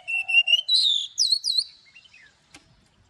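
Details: Trained Oriental magpie-robin's morning song, forest-voice style with long notes: repeated steady whistles, then quick looping up-and-down notes and a falling phrase, followed by a single click and quiet, with a faint low coo.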